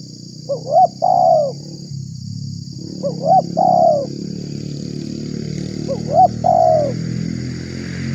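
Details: Spotted dove lure call for enticing wild doves: three coo phrases roughly every two and a half seconds, a clipped double note then a drawn falling coo, against growing low rumble and a constant high hiss.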